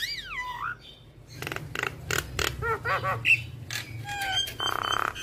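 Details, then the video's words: Talkative Javan myna with a song packed with imitations, played so other mynas copy it: a falling whistled slide, then dry clicks, stacked nasal chatter notes and a short burst of harsh rasping, above a faint low hum. "Jalak Kebo Gacor Full Isian Jalak Apapun Yang Dengar Wajib Ikut Bunyi - Masteran Jalak Gacor"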